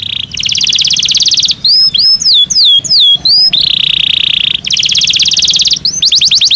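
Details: Canary kept in a cage during breeding season sings fast high buzzy rolls broken by a series of swooping whistled notes, then returns to dense rapid trills.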